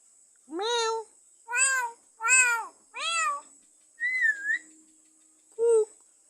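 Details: Pet myna, kept for four years, copying a cat's meow: four harmonic meows in quick succession, roughly one every 0.7 seconds, then a wavering whistled note and a last short meow. A steady high hiss runs throughout.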